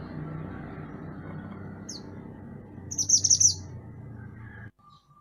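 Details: {'_': 'Mantenan gunung songbird, recorded for training other songbirds: one high, rapid twittering phrase under half a second long, set against a steady low rumbling background.'}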